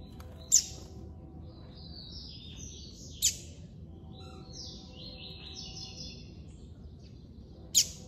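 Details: Captive male double-collared seedeater kept by an amateur breeder, singing in the classic style: short high whistled phrases with slight downward slurs, separated by loud sharp clicks about every three seconds, over a low steady hum.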